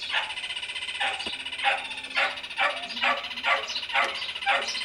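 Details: Rufous hornero in a tree beside a house on a small rural property: loud, harsh, buzzy notes repeated about every half second, steady in pitch, with faint background hum.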